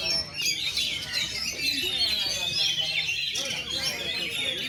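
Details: Oriental magpie-robin at its first contest, plumage fluffed, delivering shooting and running song styles; clear sweeping whistles stand out over constant high twittering from other birds.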